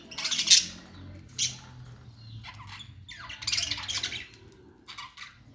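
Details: Budgerigar chirps and short squawky bursts, spaced and uneven, over a steady low hum.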